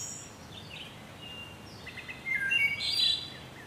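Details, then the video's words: Soft, distant wood thrush singing: faint whistles, then a clearer phrase of fluty notes climbing into a bright, buzzy, high trill, heard over steady environmental noise. "Wood Thrush Bird Beautiful Sing"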